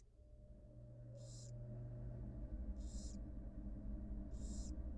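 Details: Wild barn owl mother feeding her two newly hatched nestlings, nest camera; three short breathy hisses spaced nearly two seconds apart over a rising low rumble and hum.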